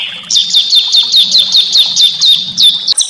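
Small songbird delivering a fast run of sharp, high chirps, about five a second, each note flicking down in pitch, over a faint low rumble.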